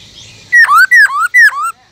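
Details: Three loud whistled phrases from a caged Black-throated laughingthrush singing giọng rừng, the wild-voice style: each a clear high note that drops sharply and then slurs upward.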